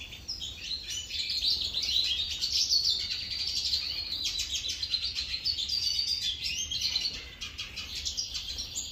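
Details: Feeding European goldfinch giving a continuous, lively twitter of bright, metallic chirps and trills, densely packed and fast, several notes per second, over a quiet low hum.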